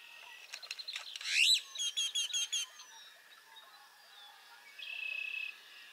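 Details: Great-tailed grackle calling at Burrows Pond in Sac County, Iowa: rattling clacks lead into a loud rising whistled sweep, then a fast series of ringing harmonic notes, followed later by a steady buzzy tone amid faint background birds.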